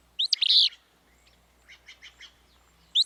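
Willow Flycatcher giving its sneezy, buzzy song, a burred phrase followed by a few softer chipping notes, then the phrase starting again.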